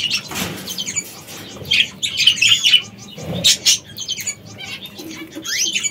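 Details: Parrots in an aviary, while eating: loud, harsh squawks and sharp chirps in irregular bursts, some overlapping, with brief lower thumps and rustling between calls.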